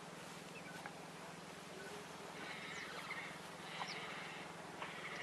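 A painted stork chick breathes heavily in harsh, wheezy rasps, about one each second, over a steady low hum.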